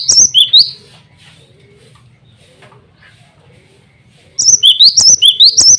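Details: Male cinereous tit calling rivals and calling to females: bright high whistled notes in short rising-and-falling phrases at the start, a quiet gap, then a run of repeated sharp whistled notes near the end.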